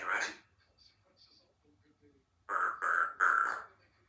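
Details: Three-year-old female Congo African grey parrot, a talkative pet hatched in June 2021 and kept in a country home, producing a short harsh burst, then three quick speech-like syllables in a row after a quiet pause.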